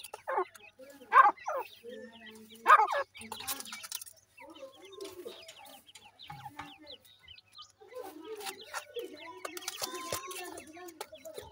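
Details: Grey francolin chicks while feeding, with short loud clucking notes in two bursts near the start, then softer scattered chirps and low clucks continuing through the rest.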